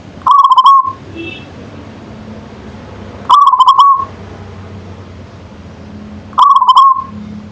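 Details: Zebra dove of a local strain, perkutut manggung song: three clear trilled coo phrases with a bubbling start and level ending, spaced about three seconds apart, steady low background rumble and a brief faint high note between them.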